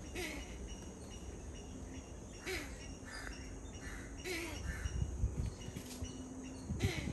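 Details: Grey-headed swamphen (Porphyrio poliocephalus) calling: harsh, nasal, honking calls about every two seconds, over a steady low rumble of wind or background noise.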